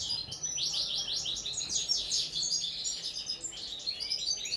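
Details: Common linnet in table-singing training, rapid sweeping twittered notes and short trills in a lively, continuous high song over light background noise.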